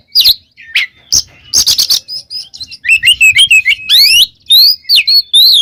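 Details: Oriental magpie-robin in gacor ngeplong song for pet-bird training: a few sharp chips and harsh bursts, then a quick series of wavering whistled notes, a steep rising sweep and clear slurred whistles.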